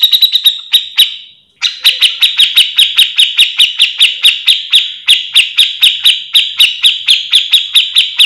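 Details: Grey-cheeked bulbul in continuous, energetic song for training other grey-cheeked bulbuls: a long run of sharp, buzzy notes repeated about three times per second, broken by one brief pause near the start.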